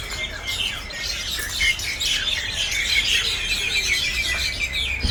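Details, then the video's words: Several common mynas making noise, overlapping harsh chatter, squeaks and whistled notes forming a constant high-pitched racket, with a faint low rumble of background noise. "ציפורי מיינה מרעישות Myna birds making noise"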